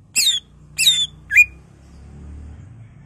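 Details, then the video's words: Greater green leafbird sound used to prompt other leafbirds to sing. Three loud, harsh, squawky notes come about half a second apart, the last one sharper and slurred, over a faint low hum. "Pancingan Cucak Ijo Merangsang Cucak ijo lain"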